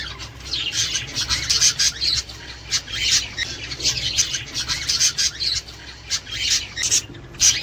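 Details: Budgerigar chatter used to prompt pairing, breeding and laying in Australian parakeets; steady stream of grating, buzzy twitters and squeaky notes in short clustered bursts, with a faint low hum underneath.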